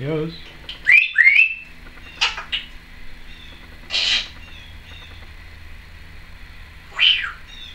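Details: Female Timneh African grey parrot at home, recorded 2012, making two quick rising whistles, then several rough squawks spaced a few seconds apart, one ending in a falling whistle.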